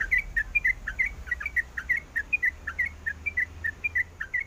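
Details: Yellow-vented bulbul female in breeding condition calling a male, producing quick twisting chirps in an even, bouncing rhythm of roughly four notes a second, with low rumbling noise beneath.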